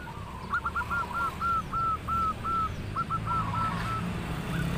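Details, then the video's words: A local zebra dove gives its sweet-voiced song, said to draw replies from others: a fast rippling series of short, even coo notes in two runs, set against a loud steady background hiss and low rumble. "perkutut lokal gacor suara merdu bikin nyaut semua burung perkutut"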